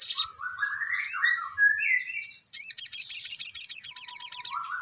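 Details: Ruby-cheeked sunbird singing energetically: a varied run of sliding and rising whistled notes, then a fast, even series of sharp repeated high chips about four per second.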